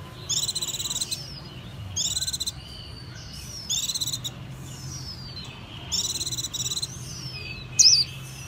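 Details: White-eye singing in four short bursts of high, bright, warbled chirps spaced about two seconds apart, over a steady low background hum.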